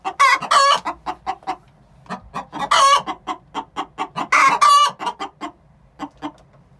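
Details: Six-month-old hens calling the egg song ahead of laying: rhythmic quick clucks punctuated every couple of seconds by loud, raspy, drawn-out squawks.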